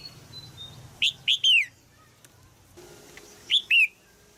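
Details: Caged female red-whiskered bulbul in Thailand, chirping to stimulate a young male to sing; two bursts of loud, sharp chirps, three then two notes, each sliding downward, separated by quiet.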